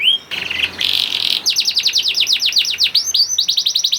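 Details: Young canary (kenari paud) song for prompting other canaries to sing: brief whistle, a buzzy rattling roll, then a quick series of steep down-slurred whistled notes repeated several times a second.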